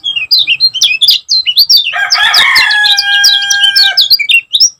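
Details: Kecial kuning, the Lemon-bellied white-eye of Lombok, sings rapid high chirps that flick up and down. A louder, lower sustained tonal sound cuts across the middle before the thin notes take over again.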